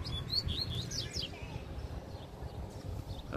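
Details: Agitated free male double-collared seedeater, worked up by a female close by, gives a rapid run of high slurred whistled notes, some rising and falling, before fading into scattered faint chirps over low rumble.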